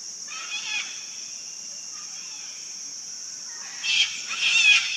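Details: Sulphur-crested cockatoos in a wild colony: a short raspy screech early, a quiet stretch, then a louder cluster of harsh shrieks near the end, with a constant shrill insect hum behind.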